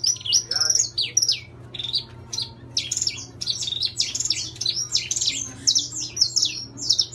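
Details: Intense-yellow saffron finch, a kept bird, singing a dense run of sharp, high chirps and slurred notes in quick uneven bursts, with a steady low hum underneath.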